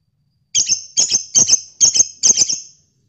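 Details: Lovebirds, male and female, chattering (ngekek) at midday: five quick bursts of very high, shrill, buzzy chirps, each a doubled note, spaced about half a second apart.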